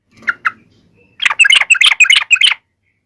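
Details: Yellow-vented bulbul taunting rivals: two soft opening notes, then a dense, bubbly chatter of rapid notes for just over a second.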